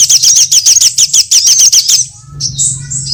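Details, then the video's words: High sunbird lure call for trapping: a quick series of slurred, squeaky notes about three or four per second, then a pause and thin, high, wavering whistles over a low hum. "Suara pikat semua jenis burung kolibri"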